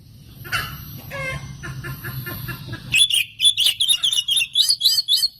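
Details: Lure song of an oriental magpie-robin for provoking other birds: a few scattered calls over low hum, then a fast, continuous series of sharp, high chirps and twisting whistles.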